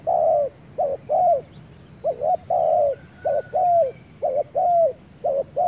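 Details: Spotted dove calling loudly in the forest, mellow coo phrases of short double notes and longer falling coos following one another closely, a faint whistling bird in the background.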